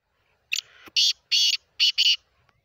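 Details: Black francolin calling: a harsh, grating phrase of five loud buzzy notes in under two seconds, with a short rasping lead-in, then two closely paired notes at the end, against a quiet background.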